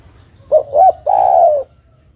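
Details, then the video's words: Female spotted dove calling to the male: a single phrase of two short hollow coos followed by one long, slightly falling purring coo, then quiet. "TEKUKUR BETINA MEMANGGIL JANTAN"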